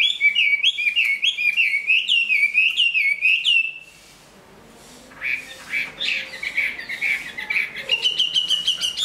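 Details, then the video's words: Big Chinese hwamei in moult, praised for singing and fighting, pours out a rapid rising series of bubbling whistled notes, falls silent briefly, then resumes with harsher, chattering phrases. "Họa mi bộ to hót tốt đấu tốt"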